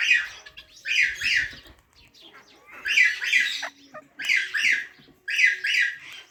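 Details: Parrots chirping naturally: grating two- and three-note chirp bursts, loud and bright, spaced by silent gaps of about a second, with a quieter mutter between the louder bursts.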